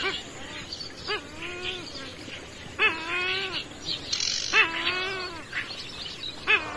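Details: Grey-headed swamphen calling: loud nasal, wailing notes that rise and then fall, repeated roughly every one to two seconds, with harsher cackling sounds between them over steady background noise.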